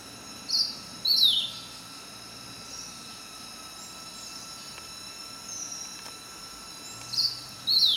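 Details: A group of Rufous-capped babblers active in bush on Dashue Mountain, Taichung, Taiwan, 21 September 2018, give short, high, downslurred call notes in two pairs over a steady insect drone.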